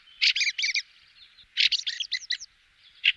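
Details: A fieldfare gives harsh, dry "chack" chattering calls: a quick run of three, a longer burst of five, then a single note. The recording is used as a hunting lure.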